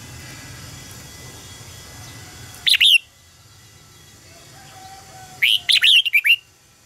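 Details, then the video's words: Contest song of a red-whiskered bulbul, used to train and provoke birds to sing: a brief warbled phrase, a pause, then a fuller run of bright slurred whistles, over a faint background hiss. "luyện giọng cho chào mào hót hay - căng lửa, chào mào hót quá phê"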